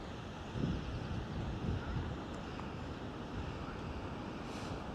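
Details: Wind buffets the microphone outdoors with low rumbling gusts and a few soft bumps.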